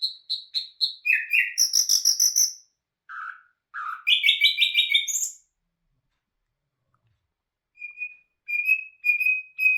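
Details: Nightingale song, called bulbul hazar dastan: a varied sequence of repeated notes, buzzy trilled bursts and two lower notes, then after a pause a series of steady pure whistles.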